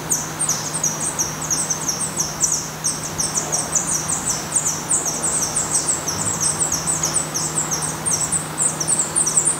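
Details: Nest of a black redstart in Portugal, young present: an unbroken chatter of shrill, high, short slurred notes, repeated several times a second, over a faint steady low hum.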